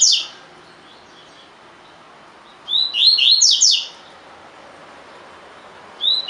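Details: Tui tui style song of a caged collared seedeater meant for training birds: one full phrase of fast, sliding high notes mid-clip, with fragments of the same phrase at the start and end.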